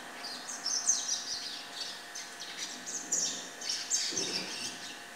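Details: Juvenile double-collared seedeater (Sporophila caerulescens) singing a rambling, high twittering warble of quick chirps and short trills, nearly nonstop, over a faint steady hum.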